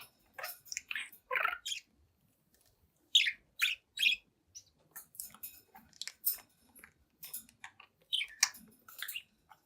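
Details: Seven-month-old budgie in front of a mirror keeps up playful chirping: quick high clicks and sweeping squeaky notes in clustered bursts, with a quieter pause near the start.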